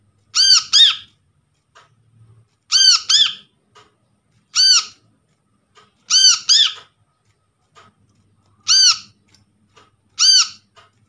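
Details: Wild-caught brown-throated sunbird (kolibri kelapa), used as a lure to stir silent birds into calling. Harsh, nasal, arched squawks with a buzzy ring, given singly or in quick pairs roughly every two seconds in a quiet indoor setting.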